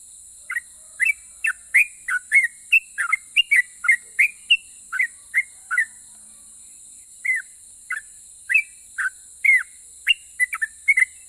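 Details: Sooty-headed bulbul singing tirelessly in a quick, extended style that sets other bulbuls answering. Short, falling, liquid whistled notes about two per second, with a brief lull midway, over a constant high hiss.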